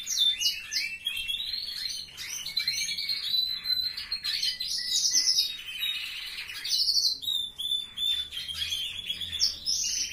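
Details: Canaries kept in a family member's indoor aviary: a bright, continuous warbling song of high twitters, buzzy notes and quick trills that runs without pause, with other birds chirping in the background.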